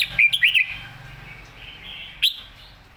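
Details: A clear, excited Red-whiskered bulbul gives a two-part warbled phrase, then a pause and sharp single notes, over a constant low hum.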